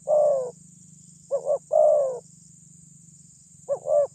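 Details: Spotted dove with a strong voice, used to stir up rival birds: deep coo phrases of a quick double note and a long level coo, repeated roughly every two and a half seconds over a steady low hum.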